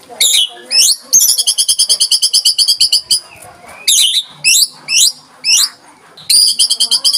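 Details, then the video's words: White-rumped shama in a tembakan, a fast shot-like song style, with rapid rattling trills of high sharp notes, upward-swept whistles and short bursts separated by brief pauses. "Tembakan Rapat Burung Murai Batu"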